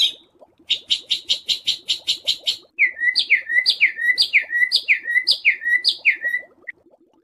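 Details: Songbird training audio (masteran) of harsh 'besetan kasar' notes for house and contest birds: a run of rapid buzzy, scratchy notes about four per second, then a string of sharp downslurred whistles, over faint low ticking.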